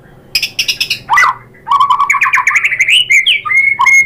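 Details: White-rumped shama singing: rapid loud series of sharp chips and rattles, then a fast run of rising and falling whistled notes with quick trills, over a low steady background hum.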